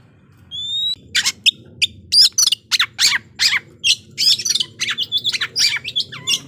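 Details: White-rumped shama song meant to raise emotion and fighting response in rival shamas: opening pure rising whistles, then a fast, loud run of harsh broadband notes and sharp chips, repeated in quick bursts.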